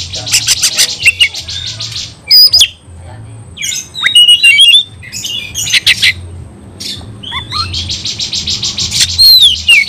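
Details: Oriental magpie-robin, a caged bird, singing in an aggressive fighting mood: loud harsh rasping bursts alternate with sharp whistled notes and twisting squeaky phrases, with pulsed buzzy stretches near the start and end, over a faint low hum.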